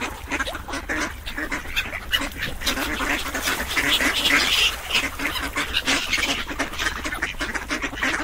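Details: Several ducks give rapid, scratchy quacks that overlap into an unbroken clamour, roughly three calls a second, loudest in the middle.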